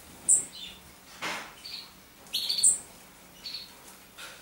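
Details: Common chaffinch calling in short separate notes: sharp high chinks and brief thinner tweets spaced irregularly over a few seconds, with one soft rushing noise in between.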